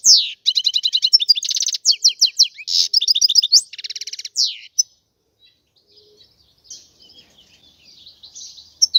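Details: European goldfinch giving a rapid run of bright, chattering twitters and buzzy trills for about four seconds, after which only faint, scattered high notes remain.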